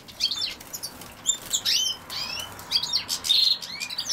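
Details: European goldfinch, with common sowthistle named alongside it: a quick series of thin, high chirps and short rising and falling tweets, some slurred, against faint rustling.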